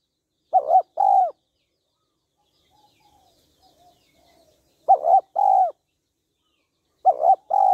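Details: A female spotted dove, calling to stimulate a male, repeats a phrase of a broken double coo and a long throaty coo three times, with faint soft mutterings in the long gap between the first two.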